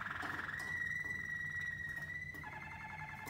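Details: Waterslager canary song training session. A long, level, pure whistled note runs unbroken, joined near the end by a lower tremolo tone, over a soft background hum.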